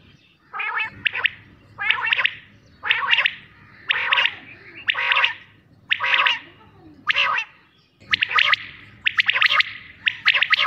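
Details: Quail giving rough, rasping multi-note bursts roughly every second, with quicker, denser chirping toward the close.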